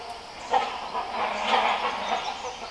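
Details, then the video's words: Several great hornbills in the Western Ghats at Nelliyampathy, Kerala, India, giving harsh, hoarse barking calls in a loud overlapping run of about three seconds, calling close together. "Great Hornbill call sounds"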